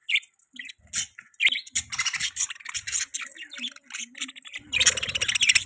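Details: Pet budgerigars chirping in a rapid, busy stream of high twittering notes and short warbles, with some scratchy chatter, growing denser and louder toward the end.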